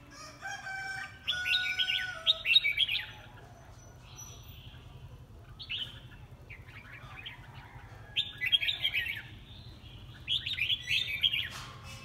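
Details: Red-whiskered bulbul in a singing competition, giving repeated bursts of quick warbled, slurred phrases separated by short pauses; a low steady hum underneath and fainter bird notes between bursts.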